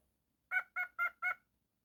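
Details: Pet cockatiel making four harsh, nasal calls in quick, even succession, each note rich and slightly honking.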